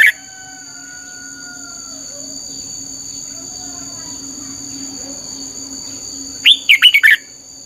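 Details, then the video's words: Red-whiskered bulbul training song in 'căng lửa' style: mostly a steady high whine and faint tones, ending with one quick phrase of about five bright warbled notes. "luyện giọng cho chào mào hót hay - căng lửa"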